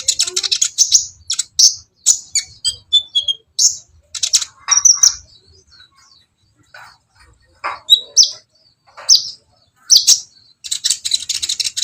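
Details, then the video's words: Copper-throated sunbird (kolibri ninja) giving bursts of high, scratchy twittering separated by short pauses, ending in a dense rapid run of sharp notes. "suara Kolibri ninja terbaru ..!!! masalah gacor nilai sendiri"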